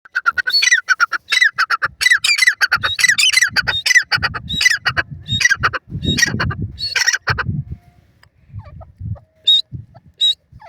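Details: Grey francolin, known locally as teetar and described as the Dakhni teetar type, calling: loud, harsh, rasping squawks in rapid overlapping bursts with rich harmonics, over low thumping background noise, thinning to sparse higher notes toward the end.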